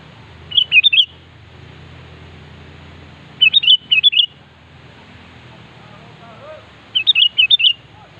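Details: Sooty-headed bulbul song used to call a rival: three bursts of fast, bubbly whistled notes roughly every three seconds, bright and liquid, over a steady low hum of background noise.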